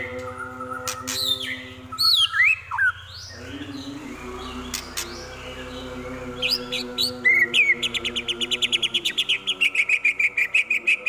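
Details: White-rumped shama song mixing imitations of prenjak, kapas tembak and elang: varied swooping whistles and sharp chips, ending in a fast, even string of repeated notes, with a constant low droning hum underneath.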